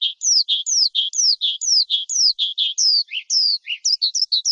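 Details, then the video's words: Singing lark alternating high downward-slurred whistles with lower short notes in a steady back-and-forth rhythm, ending in quicker varied chirps. "Tiếng chim Sơn Ca hót"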